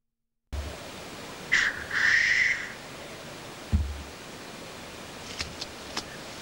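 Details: Black grouse cock at a lek display, giving two loud hissing, sneeze-like calls: a short one, then a longer drawn-out rush a moment later. A low thump follows, then faint distant clicks.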